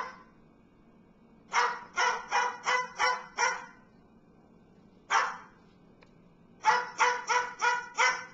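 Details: Pet bird imitating a dog's bark, acting like a watchdog: harsh, noisy bark-like bursts in two quick runs of about five, each separated by a short pause, with a lone bark between the runs and quiet room background.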